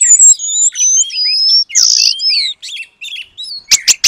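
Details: Actively singing oriental magpie-robin imitating the long-tailed paradise bird as training material: high sustained whistles, a harsh buzzy burst, varied chattering notes, and three loud sharp clicks to finish.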